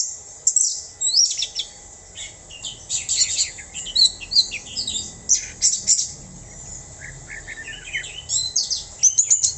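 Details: Orange-headed thrush in full song: bursts of very high, squeaky whistles and fast slurred notes in varied phrases separated by short pauses, over a low background hum.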